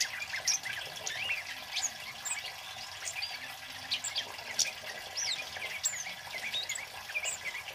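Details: Flowerpecker (kemade) male in full loud song, meant for luring and as a training model: high, thin chirps and curved whistled notes tumble irregularly, about one every second, against a faint rushing background.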